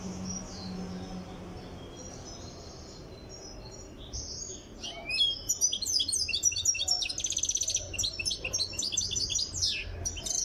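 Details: Goldfinch from Tiaret on its way to full singing form: faint scattered high notes for four seconds, then a sustained, energetic twittering song of tinkling chirps, buzzes and rapid trills.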